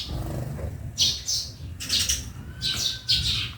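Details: Sparrows calling in a backyard, loud clipped chirps in four separate bursts, with a thin faint whistle in the background and low ambient hum.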